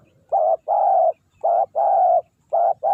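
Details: Close, loud coos of a decoy spotted dove luring wild doves: short burry note followed by a longer rolling coo, the pair repeated three times in three seconds.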